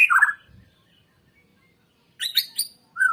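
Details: White-rumped shama song used as a lure recording to stimulate other birds to sing: a loud slurred whistle falling in pitch, then a pause and a quick burst of sharp high chirps and a short whistled note.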